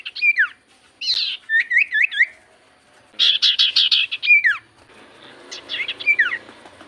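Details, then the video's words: Lure song of Javan white-eye for prompting common iora: lively bursts of twisting whistled notes and steep falling slurs, with a dense buzzy chattering passage in the middle and softer warbling near the end. "Pancingan Burung sirtu cipoh gacor"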